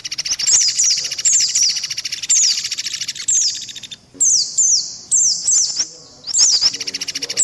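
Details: High-pitched white-eye chirps from a combination lure track alongside mantenan and pelatuk beras calls; thin descending notes repeat over a fast ticking buzz, broken by short gaps.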